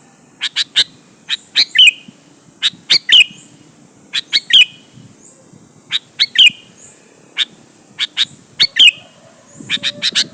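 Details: Sooty-headed bulbul in full voice, played to provoke other bulbuls into singing back: scattered sharp chirps and short chattering runs, each group often closing with a downward-sliding note, steady through the stretch.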